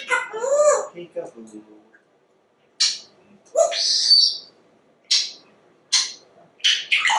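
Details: Male African Grey Parrot that talks non-stop, kept indoors; a throaty speech-like word, then a series of sharp clipped squawks and hissy chirps spaced about a second apart.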